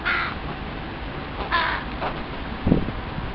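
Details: Young crows, back with their family in its breeding territory after leaving a bachelor flock, begging reluctant parents for food. Two rasping, nasal calls come close together, then a shorter, weaker one, with a soft low thump near the end.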